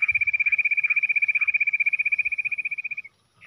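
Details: Jungle bush quail in a fight, giving a fast, very even trill of bright pulses, about a dozen per second, holding steady for three seconds before stopping abruptly, with faint low thumps at the start.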